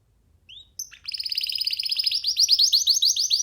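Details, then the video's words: Baby canary sitting freely on a person's hand, starting with a few soft thin notes, then breaking into a fast, dense trill of repeated bright chirps that grows louder. "Canary singing freely on sitting on d hand"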